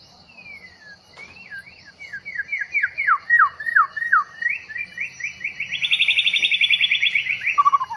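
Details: Long-tailed White-rumped Shama from Bahorok, newly taken from the forest, sings a loud, varied phrase: a whistled opening note, then a run of quick downslurred notes, ending in a bright, rapid rising trill and low terminal notes. A faint steady insect hum sits behind.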